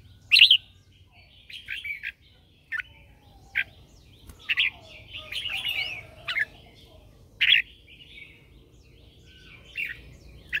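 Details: Morning song of a red-whiskered bulbul decoy bird calling others: scattered bright chirps and short warbles over ten seconds, one longer twittering run in the middle, steady low background hum.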